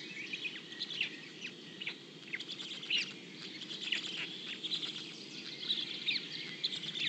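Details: Heron chicks in their nest, fed with fish brought up from the parent's throat. Short, sharp, irregular chirps and ticks come in scattered bursts, some clustered, over a steady high hiss of insects or background noise.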